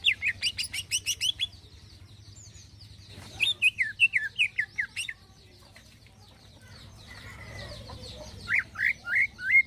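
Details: A vigorously singing greater green leafbird gives a fine filler song: a rapid run of about ten high chirps, then sweet slurred whistles falling in pitch, and a closing burst of bright chirps.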